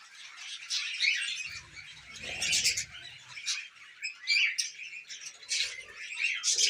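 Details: Softer chattering from several tame budgerigars feeding on millet: scattered high chirps and warbled phrases swell and fade, with a low murmur in the middle.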